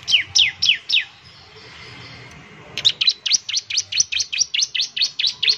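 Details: Bar-winged prinia, a semi-active singing bird used to prompt other prinias to sing quickly: a run of sharp, high, down-slurred chirps repeated rapidly, a brief quiet pause, then a longer fast series of similar notes.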